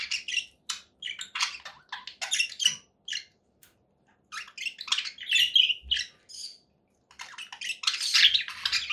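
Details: Conure parakeet producing clipped, scratchy squawks and chirps in irregular bursts separated by short silences, with a dense loud flurry toward the close.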